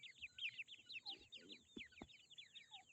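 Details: Chicks of grey francolin give a rapid string of high, squeaky arched peeps, overlapping and continuous, with two sharp clicks and a soft low rustle.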